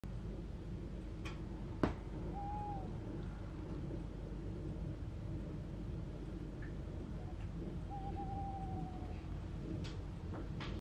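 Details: Tawny owl giving two soft, mid-pitched hoots, the first brief, the second longer and slightly falling, at night by the sea with lights in the background, over a steady low rumble of sea.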